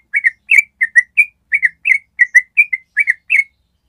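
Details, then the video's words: Yellow-vented bulbul trilling ropel-style, used for training other birds: crisp paired whistled notes, about a dozen in quick succession, each a short rising-then-falling chirp. "SUARA TRUCUK ROPEL PANJANG"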